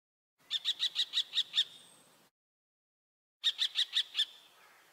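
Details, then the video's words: Two quick bursts of clipped, chattering notes from a common kestrel, seven notes then five, with silence between. "황조롱이 울음소리 Common Kestrel sounds"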